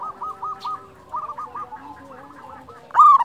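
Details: Singing local wild zebra dove, recorded to lure or train doves. Several soft trilled coo phrases from nearby birds fill most of the clip, then a loud, bright coo bursts in at the very end.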